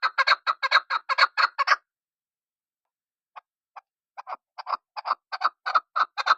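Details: A chukar partridge makes a quick burst of loud harsh clucks, falls silent, then restarts with a few scattered notes that accelerate into a steady clucking rhythm.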